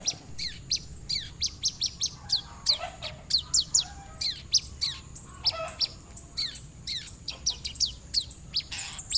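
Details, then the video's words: Orange-headed thrush song used as a lure: a steady series of high, sharp whistled notes, several each second, mostly falling in pitch, with a faint hiss behind. "pancingan sogon"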